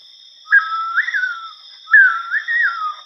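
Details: Sri Lanka Bay Owl call played back during a talk on Goa's owls: two clear whistled phrases, each starting low, rising and wavering before falling, about a second and a half apart, over a steady electronic tone.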